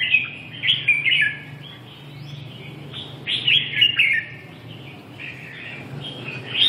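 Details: Red-whiskered bulbul singing: bright, warbled whistled phrases in short bursts, separated by pauses of about two seconds, over a steady low hum.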